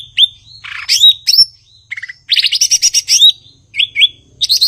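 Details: Cucak ijo, or blue-winged leafbird, singing in Indonesia: rising whistles, a harsh noisy burst, then a long run of rapid rattling notes and more upslurred whistles.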